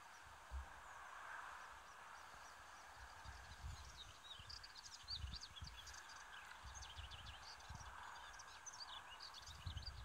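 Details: Song of a Melodious warbler (Hippolais polyglotta), a fast chattering run of short high notes, over distant traffic rumble and hiss; Ellecomsche Polder near Ellecom, Rheden, Gelderland, Netherlands, 8 June 2015; third accepted provincial record, found 7 June.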